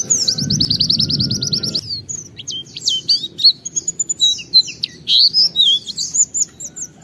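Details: Oriental white-eye singing a loud 'gacor' song packed with imitated material, used as a lure to prompt other white-eyes to sing: a fast high buzzy trill, then varied sharp chirps and slurred whistles; a low rumble at the start.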